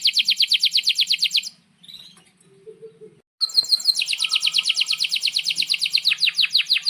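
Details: Vigorous canary song meant for tutoring young birds and canaries that stopped singing: fast, high, evenly pulsed trills that pause for about two seconds of near-quiet, then resume as a long rolling trill shifting in pitch.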